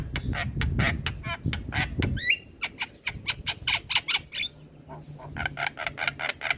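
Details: Lively singing Javan myna (jalak kebo), nodding its head, recorded as training material for other birds: fast rattling clicks and harsh notes, one twisting whistle, against a low rumbling background.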